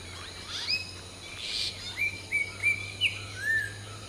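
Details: Common hill myna (Gracula religiosa) during preening and the dawn chorus: a string of short, clear whistles, some upslurred, ending in a lower downslurred note, with one harsher burst midway over a low steady hum.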